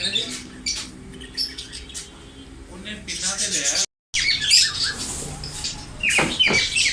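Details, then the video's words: A ring-necked parrot talks in low, speech-like mumbles, then bursts of harsh, grating squawks and short chatter, quickly repeated and loud in a small room. "green parrot talking ||parrot natural voice"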